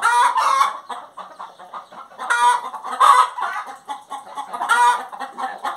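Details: Singing hen mixes loud cackling squawks, roughly every two seconds, with busy chains of short clucks.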